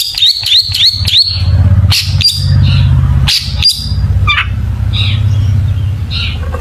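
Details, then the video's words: Long-tailed shrike singing richly, used as a lure to make other shrikes sing: rapid repeated sharp whistled chips, then scattered harsh squawks and short buzzy notes, over a loud steady low hum throughout. "burung cendet gacor FULL ISIAN BONGKAR JITU, PANCINGAN CENDET AGAR BUNYI jadikan BURUNG PENTET GACOR"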